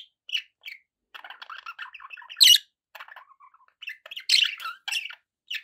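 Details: Pet budgerigars kept as companions, chattering in a busy run of short scratchy chirps and soft warbled notes, with a few louder squawky calls breaking through near the middle and end.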